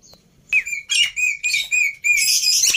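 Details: Highly worked-up fighting Black-winged myna: a sharp whistled note followed by grating, buzzy screeches run together in quick succession.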